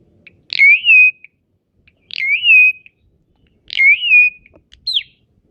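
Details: Asian pied starling, a champion in a song competition, repeats a rising whistle three times, each starting with a harsh buzzy onset and levelling off, about every one and a half seconds. A short falling whistle closes the series.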